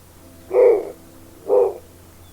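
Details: Snowy owl (Bubo scandiacus) gives two hoarse, mid-pitched hooting notes about a second apart, each under half a second long, over a faint low hum.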